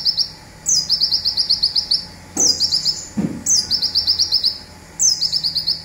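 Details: Rapid 'tembakan zipper' phrases of a local olive-backed sunbird, recorded for training songbirds: high, fast strings of clipped notes after a falling opening slur, four bursts, with two dull knocks in the background.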